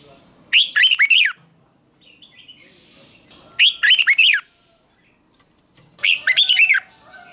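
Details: Competitive song of a red-whiskered bulbul, used at dawn to train and trigger singing: three short bursts of four or five bouncy, down-slurred whistles roughly every 2.7 seconds, with quiet gaps and a steady high electronic whine.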